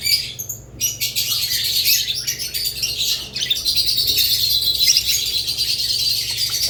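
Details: Budgerigars keep up nearly continuous chattering, a dense high warble of scratchy chirps and squeaks with only a brief gap near the start.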